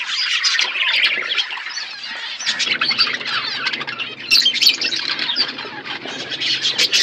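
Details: Outdoor aviary budgies eating food: busy, overlapping high chirps and warbled chatter, joined after a few seconds by a low continuous hum.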